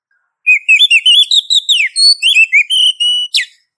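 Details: Female Oriental magpie-robin calling a male: a rapid run of varied clear whistled notes, slurred up and down, about a dozen phrases in three seconds, ending in a sharp buzzy note; no other sounds.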